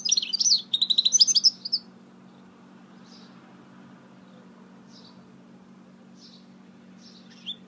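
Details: Goldfinch hybrid (mule) singing: a quick burst of high, rapid twittering notes fills the first two seconds, then a few faint, widely spaced chirps follow over a low steady hum.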